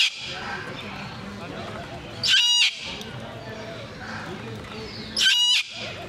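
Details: Two grating, strident screeches from a blue-and-yellow macaw, about three seconds apart, each short and buzzy, over a constant low background rumble.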